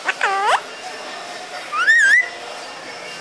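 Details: Parrot uttering a thick, harmonic, speech-like syllable that curves down and back up, then after a pause a wavering whistle rising and rippling before holding steady, in a quiet indoor space.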